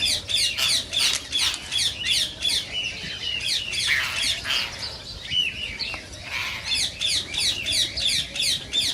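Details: Rose-ringed parakeet calls meant to stir other birds to sing and mate: a fast, steady stream of short, sharp, chirping shrieks, roughly three per second, pausing once in the middle before resuming.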